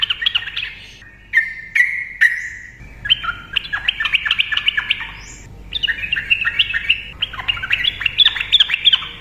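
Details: Sooty-headed bulbul singing persistently in the long 'ropel' style, played to stir quiet bulbuls to sing: dense, rapid chains of bright chirps and slurred whistles, with short held whistled notes early and busy chattering phrases throughout.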